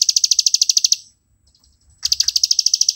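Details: Ngebren-style song of a plain prinia, a grassland and rice-field bird, used for master training: fast, evenly spaced high buzzy notes in a one-second burst, a pause, then the run resumes.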